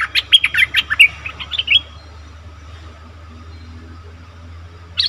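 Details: Bulbul lure recording for wild birds: a quick series of short, bright chirping notes lasting under two seconds, then faint background hum and a brief rustle at the end.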